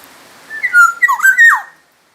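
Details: One loud, clear phrase from a Black-naped oriole from Sumbawa: a string of rich whistled notes that rise, dip and end in a descending slur.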